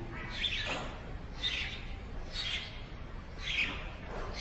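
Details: At a nest in a hole in a brick wall, a parent Eurasian tree sparrow feeding its young gives bright, sharp chirps about once per second over a low background rumble.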